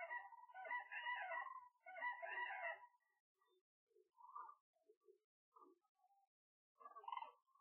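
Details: At nightfall cranes gather on the shores of the Gallocanta lagoon, Spain, feet in the water; two dense bursts of overlapping trumpeting, then scattered shorter single calls and a final burst.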